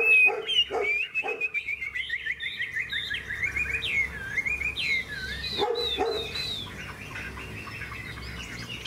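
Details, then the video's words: Caged Hwamei singing in a contest against another bird: a long, rich run of whistled, warbling phrases sliding up and down, with some harsher notes and a low hum in the background. "Họa mi hót đấu"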